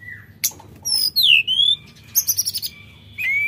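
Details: Sooty-headed bulbul song: a low whistle, then a loud sweeping downslurred phrase, a long level note and a quick buzzy stutter, finishing with a rising whistle.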